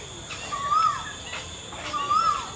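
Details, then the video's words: Asian koel song heard more softly: two whistled rising notes about 1.4 seconds apart against a prominent steady insect drone and light background noise. "Song of Asian Koel / Kokil"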